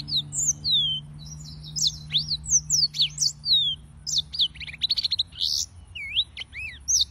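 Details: Yellow-fronted canary (Serinus mozambicus) song: lively, high whistled phrases mixing sweeping slurs, quick rattling trills and sharp chirps, with a steady low electrical hum in the background for the first few seconds.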